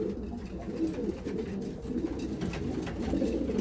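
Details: Winter-mating pigeons kept by fanciers. Continuous low, throaty cooing from several birds overlaps into a rumbling murmur, with light scratches and taps in an enclosed space.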